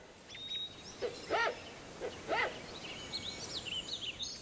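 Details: Wreathed hornbill, one of a mated pair at its family nest in Dehong, Yunnan, China, gives two loud, hoarse barking calls about a second apart, with small birds twittering high in the background.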